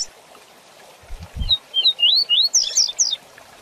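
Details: Double-collared seedeater (coleiro) singing the fast 'tui tui zel zel' song style used to teach young seedeaters; a quick run of about eight slurred, rising whistled notes ends in a higher, tumbling flourish over a faint hiss.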